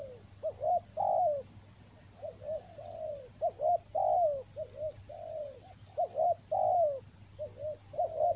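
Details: Spotted dove calling as a rainy-season lure, repeating quick paired short coos and longer falling coos in an uneven rhythm over about eight seconds, with a constant high-pitched electronic tone behind.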